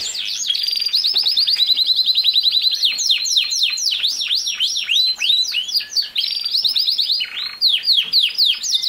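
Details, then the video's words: Song of a canary used to teach a young male to sing, made of rapid repeated trill units, then a run of loud descending swoops and fast rattling rolls. "How to make a CANARY Sing fast | The BEST video for CANARY SINGING"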